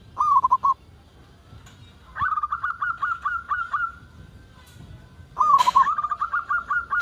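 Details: Zebra dove of local stock, calling persistently, meant to coax other zebra doves into calling. Soft bubbling coos come in three bouts: a short warble, a long even string of clipped notes, then a warble running into more notes.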